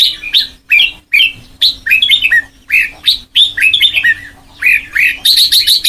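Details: Sông Kon style song training for a white-cheeked red-whiskered bulbul: bursts of rich, liquid slurred whistles in short phrases split by brief gaps, ending in a quick run of bright high notes, with a faint steady hum behind.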